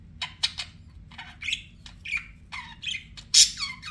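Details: Budgerigars, kept as pets, giving short scattered chirps and harsh squawky notes, separate bursts spaced through the moment with a loud raspy burst near the end; faint low hum underneath.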